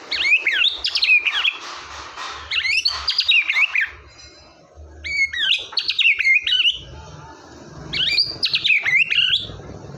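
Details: White-rumped shama in full song, used to prompt a quiet shama to sing: four bursts of rich, varied whistled phrases with fast up-and-down notes, each lasting about a second and a half and separated by short pauses, over faint low background hum.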